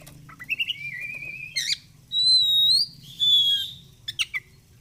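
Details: Oriental magpie-robin in song: soft chips, a wavering mid whistle, then two long clear level whistles and brief chirps, with a low hum.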